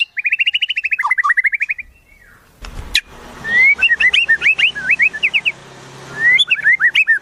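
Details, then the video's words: Song of a white-rumped shama carrying wild-bird mimicry: a quick chattering trill, a pause with a sharp click, then a string of bright looping whistled phrases against low steady background noise. "Masteran Murai, Isian Burung Alam Liar"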